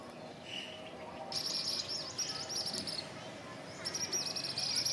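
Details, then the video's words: Asian palm swift at its nest on a toddy palm leaf in a village in northeastern Thailand gives high, thin twittering trills in quick bursts over a steady background hiss. "Asian palm swift"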